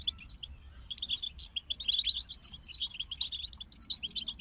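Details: Goldfinches singing together, European species, in a rapid unbroken chatter of high tinkling notes and buzzy trills, fairly loud and dense throughout, with a faint hum underneath.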